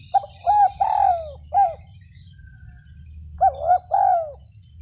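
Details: Spotted dove calling: two phrases of soft hooting coos, each with two or three short rising-falling notes and then a longer drawn-out coo that slides downward, separated by a pause of about two seconds; faint low hum underneath.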